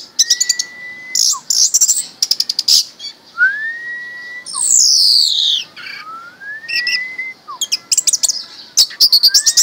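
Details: Caged orange-headed thrush raised from a chick, mixing dense high chatter with drawn-out, clear whistles that swoop upward, plus a sweeping, descending buzzy phrase midway through.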